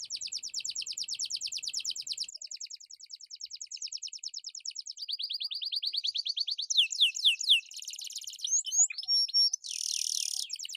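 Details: Atlantic canary singing hard, recorded for luring and tutoring quiet birds. Long rolling trills shift in speed and pitch, then give way to quick falling sweeps, and the clip ends with a harsh buzzy burst.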